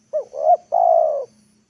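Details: Single phrase from a spotted dove used as a lure to bring wild birds down to the ground in the afternoon: a short rising coo, a swelling second coo, then one long steady coo fading out.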